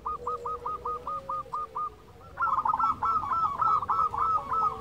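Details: Local zebra dove offered as a lure for lazy singers: a steady row of clipped coos, then louder overlapping coo runs over a hissing, noisy background.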